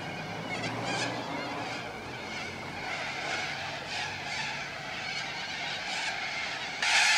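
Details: Little corellas, a cockatoo, filmed on 2 April 2014 in suburban Melbourne, Australia, outside an apartment door; harsh, grating screeches overlap continuously with layered rasping chatter, ending in a sudden louder burst.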